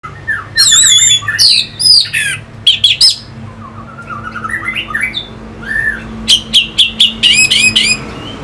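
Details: Orange-headed thrush (anis merah) from Singaraja, North Bali, singing a lure song meant to stir fighter birds: loud varied phrases of sweet whistles, sharp high chips and scratchy notes, with quieter rising warbled runs between bursts.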